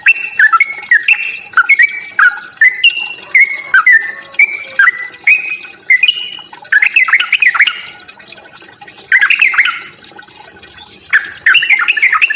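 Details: Fighting song of a sooty-headed bulbul, meant to provoke other birds: a varied chain of slurred, bubbly whistled phrases, broken by short pauses and rougher chattering bursts.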